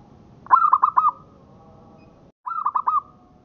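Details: Indonesian local zebra dove (perkutut lokal) song for training: two bubbling phrases of four to five rapid notes, each ending in a level drawn-out coo, with a short cut between them.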